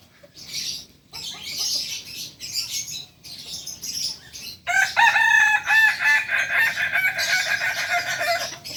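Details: Kokok balenggek rooster: short broadband chirping bursts for several seconds, then a loud sustained, pulsed crow with strong harmonics running to the end.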